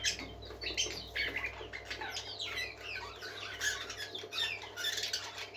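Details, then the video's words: A group of happy parakeets warbles continuously, a dense tangle of quick chirps, rising and falling whistles and scratchy chatter, with a steady low hum underneath. "Happy Parakeets Singing For Lonely Birds"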